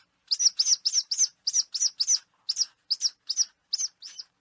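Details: Falcon calls used to drive pigeons away harmlessly: a fast, uneven string of about fifteen sharp, high, piercing notes, each brief and clipped.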